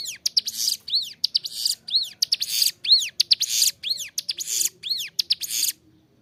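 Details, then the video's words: Clear, persistent singing of a ciblek gunung, or Bar-winged prinia, meant for training captive birds: bright arched whistles with buzzy bursts, repeated about once a second, then falling silent at the end. "Ciblek gunung gacor suara jernih, cocok buat masteran"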